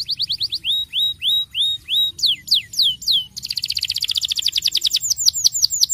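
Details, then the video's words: Starblue canary singing strongly as a lure for young canaries: a row of upswept whistles, a few falling swoops, then a rapid rattling roll and bright descending notes. "kenari starblue gacor ngeroll ampuh unultuk pancing bunyi kenari muda"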